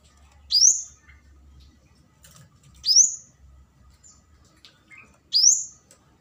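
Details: Flowerpecker lure call meant to summon a rival: three sharp, high, upward-sweeping squeaky notes about every two and a half seconds, with faint soft chips between them.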